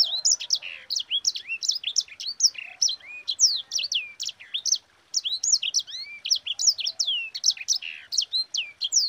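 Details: Long, energetic sanger song rolling on for about nine seconds, a dense run of high, twisting whistles and sharp downslurs with one short break, played to coax and train other birds.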